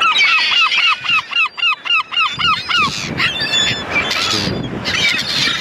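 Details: A gull's clear, loud run of about thirteen ringing, arched notes delivered quickly and evenly over three seconds, followed by a chorus of harsher cries from other gulls and rumbling noise.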